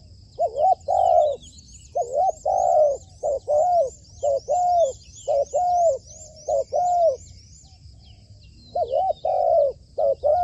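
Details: Caged spotted dove used as a trapping decoy, still in training on a roof, cooing repeatedly in short bursts of mellow hooted notes across ten seconds, with faint high chirps from other birds repeating in the background.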